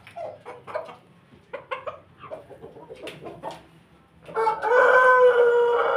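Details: Domestic Pelung and Bangkok cross rooster: a series of soft, evenly spaced clucks, then a loud, sustained, harmonic crow that fills the last two seconds.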